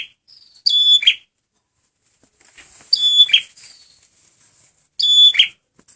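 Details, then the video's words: Male prenjak merah (red prinia) calling for luring: three whistled notes each ending in a buzzy burst, about two seconds apart, with fainter twittering and flutter-like sounds between them. "SUARA BURUNG PRENJAK MERAH PEMIKAT GACORRR"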